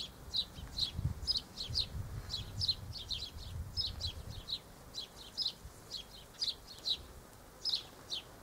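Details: Double-barred finches filmed on 1 December 2013 give a run of thin, high chirps, some doubled, repeated every fraction of a second over low rumbling wind or handling noise in the first half.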